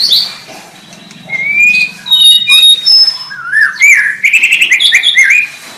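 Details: White-rumped shama song: thin high whistles, then a rising slurred phrase that leads into a rapid run of chirping notes.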